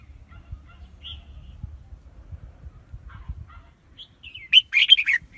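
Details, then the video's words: Red-whiskered bulbul lure song for attracting wild birds to traps: after quiet low background noise and a few faint chirps, a single quick, jumbled warbled phrase bursts out at the end. "Tiếng chim chào mào mồi dùng đi bấy cực sát bổi"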